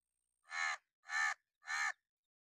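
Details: Three sharp, grating caws from an angry crow, a warning or alarm call, each harsh note lasting about a third of a second with even gaps between them.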